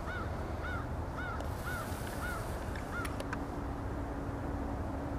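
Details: Canada goose over the Allegheny River at Olean, NY, at sunrise; clear rising-falling honks repeated about every half second for two seconds, then sharp clicks and a steady hum.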